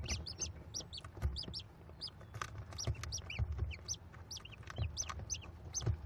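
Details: American kestrel chicks, five nestlings at a Cornell nest box on 18 May 2021, fed by their mother: dense, rapid high chirps and short squeaky notes continuously over a low rumbling background.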